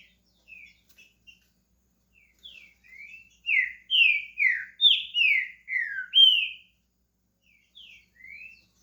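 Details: Pet green-winged saltator in Brazil starting to sing: a few soft scattered whistles, then a run of about eight loud, clear, down-slurred whistled notes in quick succession, fading back to soft notes near the end.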